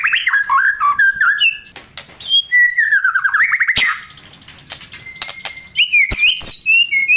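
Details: White-rumped shama singing vigorously, a recording meant to spur stalled shamas into song: looping whistled phrases, rising slurred notes, short harsh clicks, and high thin trilled notes toward the end.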